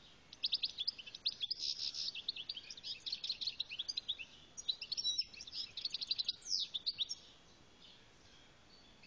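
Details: European goldfinch from Algeria pouring out a long, continuous song of rapid, high, jingling twitters and buzzy trills lasting several seconds before falling silent; no other sounds.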